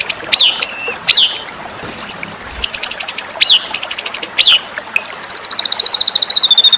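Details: White-rumped shama (murai batu) song in a masteran series aimed at bird-song contests: loud whistled notes that sweep sharply up and down, then clipped chirps, ending in a fast, even trill of high ticking notes.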